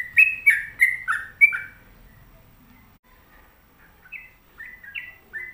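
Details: Home-kept sooty-headed bulbul giving loud, rich slurred whistles in a quick burst of five notes, a pause, then a softer second run of bending whistled phrases.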